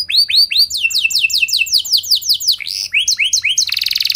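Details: Canary singing to provoke responses from other canaries: rapid repeated downslurred whistles, a few lower swooping notes, then a dense buzzy trill at the close.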